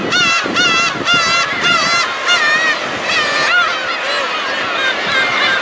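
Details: In a huge flock, several black-tailed gulls give clear, repeated cat-like mews. Each nasal, arching cry lasts about half a second and comes in quick series, set against a softer chorus of many more gulls.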